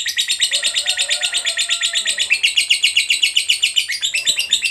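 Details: A lovebird in 'ngekek' song, meant to stimulate other lovebirds into singing. Fast, regular high chatter of buzzy clipped notes pours out without a pause. A faint low whistle-like tone runs underneath in the middle section.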